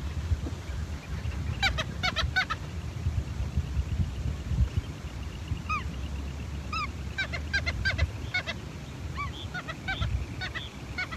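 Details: Several Ross's gulls (Rhodostethia rosea), one sub-adult and two adults, trade short, nasal, upslurred calls in loose bursts and quick runs over a steady low wind rumble, recorded in Alaska after midnight under the midnight sun.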